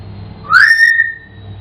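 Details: Pet African grey parrot singing indoors: a single clear whistled note sliding upward and then holding steady for about half a second, over a low background hum.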